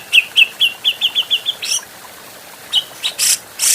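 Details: Grey-cheeked bulbul, an adult, in a training recording for other birds: eight short, sharp downslurred whistles in quick succession, then a pause, a few more notes and two harsh, noisy bursts.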